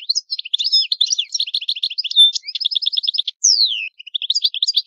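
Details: Italian European goldfinch delivering the old song: continuous fast twittering, a sustained rattling trill, a long downward slurred whistle, then renewed tinkling notes.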